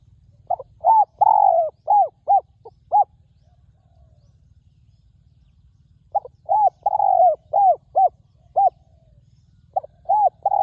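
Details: Wild spotted dove calling during ground decoy luring, described as having a fine, very resonant voice: two bursts of hollow, mellow coos, a quick stuttered series with one longer drawn note, separated by a three-second pause, then a new phrase begins.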